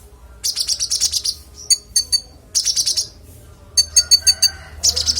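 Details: Clear, varied kolibri ninja sunbird song for training cage songbirds: repeated bursts of rapid, very high tinkling chirps and short sharp ticks, with short pauses between phrases over a faint low hum.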